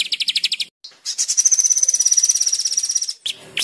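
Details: Rapid-fire 'tembakan' song of the white-rumped shama, a master for training captive birds: a short quick trill, a pause, then a long run of fast high chattering notes rising in intensity before cutting off.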